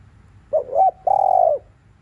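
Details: Cooing spotted dove in the afternoon, used to excite other doves: a brief double hoot rising to a peak, then a sustained level coo about half a second long.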